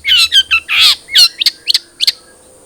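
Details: Spotted long-tailed shrike song used to coax a caged bird into singing: whistled downslurred notes and a harsh buzzy burst, then short rising chirps, with a steady high whine behind.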